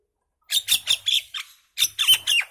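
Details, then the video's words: Mynah singing in two bursts of rapid, scratchy chattering notes, each a harsh squawk sliding downward, roughly six per burst with a short pause between. "Common myna bird song, Indian maina sounds, mynah singing"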